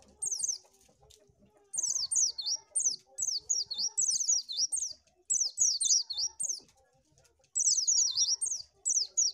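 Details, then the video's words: Oriental white-eye song, used for luring birds: rapid bursts of high, thin zigzagging notes rising and falling, strung into fast chattering phrases separated by brief pauses, with faint low background rumble. "SUARA BURUNG PLECI AMPUH"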